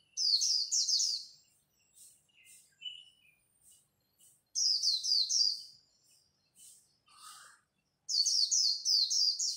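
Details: Three loud bursts of fast, high, downward-sliding twitters from Japanese white-eyes dueling in líu song at dawn, separated by quieter scattered chips; the contest serves to stimulate newly caught birds.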